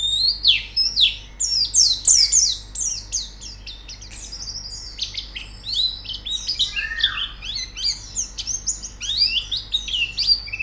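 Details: White-eye song used as training audio to get a bird singing quickly: a rapid, dense stream of high, thin chirps and downslurred whistles, with a lower slurred whistle near the middle and no other clear sounds.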